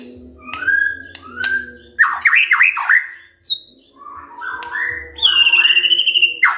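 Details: Morning song of a white-rumped shama intended to stir silent birds into singing: two soft whistles, a burst of quick looping notes, a high squeak, then stepped whistled phrases ending in a steady high whistle; low hum throughout.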